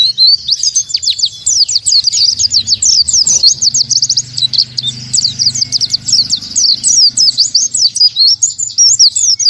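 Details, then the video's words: Unbroken high twittering song of an oriental white-eye in the breathless-volley style known as 'tembakan tanpa nafas', with rapid rising and falling chirps packed tightly for nearly ten seconds and a soft background hum. "KICAU PLECI #1 Tembakan Tanpa Nafas"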